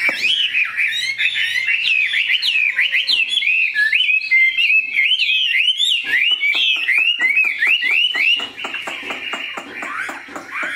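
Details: Song of a captive, large, pure-bred Chinese hwamei with a fine voice: a continuous, varied run of loud whistled slurs and warbled phrases, rising and falling, later shifting into faster repeated chattering notes.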